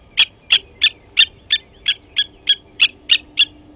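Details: Blacksmith lapwing at a South African game reserve waterhole, morning of 29 August 2020, during an adult's killing of a nest chick. Eleven ringing, hammer-like clinks at a steady pace of about three per second, with a faint low hum beneath.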